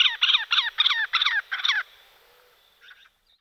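Great spotted cuckoo giving six harsh, grating chatter notes at about three per second. One fainter note follows after a short pause.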